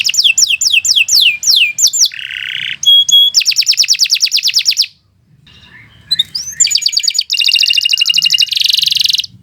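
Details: Canary song used for tutoring other birds: loud, rapid varied phrases of sweeping chirps, dense buzzy trills and repeated clicks, broken by a short pause near the middle, then resuming with fast rolling trills.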